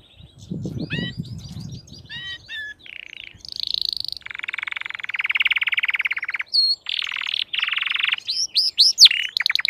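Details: Crested canary song in good form: quick whistled slurs, then long buzzy rattling rolls at differing pitches, and bright upswept notes. A brief low rumble sounds early on.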